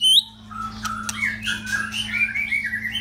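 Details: Caged male white-rumped shama kept as a pet bird, singing indoors: a sharp high note opens, then a jumbled run of warbled and whistled phrases at mid to high pitch, over a steady low electrical hum.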